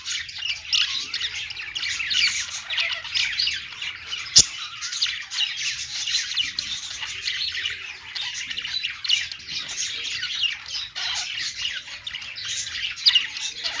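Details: Long run of budgie chatter on a perch, harsher and more squawky, with rapid overlapping chirps and scratchy calls and one sharp click partway through.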